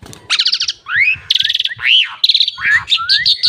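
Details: Asian pied starling singing a varied jumble of rising and falling whistles, fast rattling note series and sharp chirps, each phrase switching quickly to the next.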